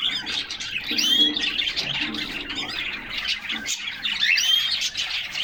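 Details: Several caged canaries recorded in summer from inside their cage, singing together in a continuous buzzy twittering chorus with thin rising whistled notes, over a soft background rustle.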